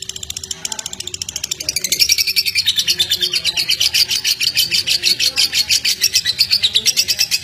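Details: Lovebird sound meant to stimulate pet lovebirds, opening with softer, rougher chirping before a loud, rapid string of high, piercing chirps takes over, pulsing about twice per second to the end.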